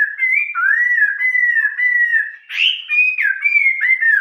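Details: Old-forest style (giọng rừng già) song of a Chinese hwamei, an unbroken run of long, gliding whistles with one buzzier, rougher note midway, loud and clean against silence.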